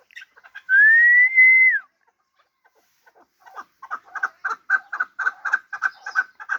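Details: Hybrid fighting partridge with a long tail: a long steady whistle rising at its start and falling at its end, then after a pause a quick series of short clucking chuck notes that grows louder.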